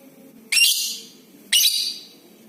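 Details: Lovebird recording meant to prompt all kinds of lovebirds into long chatter: two loud, harsh, high screeches one second apart, each starting with a rising squeak and trailing into buzzy noise.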